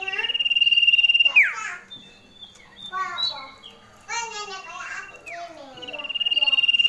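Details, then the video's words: Female common iora giving a loud, clear sustained high whistled trill, then a sharp downslurred note and lower warbled notes before the steady ringing trill returns at the end. "BETINA GACOR // SUARA SIRTU SIRDUM SIRDUNG CIPOH CIPOW NYARING"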